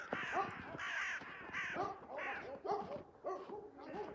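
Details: In early morning at the end of March, crows chase a hawk carrying a freshly caught collared dove. Loud, hoarse caws repeat roughly every half second, with several birds overlapping.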